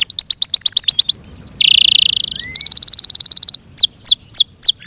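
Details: Yorkshire canary song in captivity: a quick string of downslurred notes, a buzzy rolling phrase, a fast even trill, then four slower, drawn-out downward whistles.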